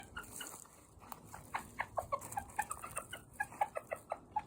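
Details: Pet Japanese bantam (chabo) rooster making a cute sound: a quick run of short, mellow clucking notes, about three or four a second, after a quiet start with faint background hiss.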